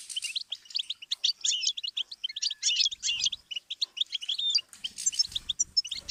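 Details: Goldfinch song for songbirds to learn from: lively, tumbling chatter of high chirps, twangy notes and a few clear whistles, with a soft low murmur in the background late on.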